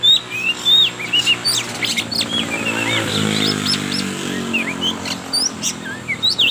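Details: Oriental magpie-robin of the trotol variety, used as a lure to get young birds singing: bright whistled notes and quick chirps, some rising, others falling, scattered over a steady low hum.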